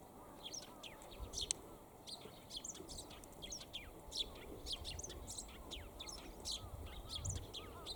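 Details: Eurasian tree sparrow perched for a long time and calling on a fine, sunny day: dense, short, high chirps repeat rapidly and overlap throughout, over a steady low background rumble.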